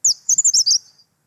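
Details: Very short, fast phrase of a Grey-sided Bush Warbler: an opening sharp high note followed by a quick tumbling string of four shrill, thin notes lasting under a second.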